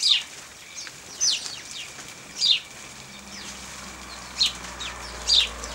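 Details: House sparrows bathing in dust and water at 0 °C on 14 December 2009 give five short, bright chirps spaced one to two seconds apart, with a faint low hum underneath.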